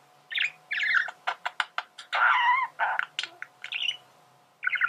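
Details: Male budgerigar singing, scratchy chirps and sharp clicks interleaved with a harsh buzzy warble, then more squeaky notes, with a faint low hum in the background.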